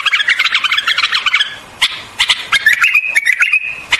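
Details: Rapid buzzy chatter from a white-eared bulbul opens, then scattered clicks and a level, slightly wavering whistled phrase close out.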